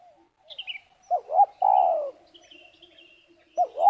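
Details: Spotted dove calling during bird luring and trapping by a village trapping community in Liwa, West Lampung, Indonesia: two quick wavering notes, then a long, falling coo, with another phrase starting near the end. Thin high chirps from other birds sound faintly behind.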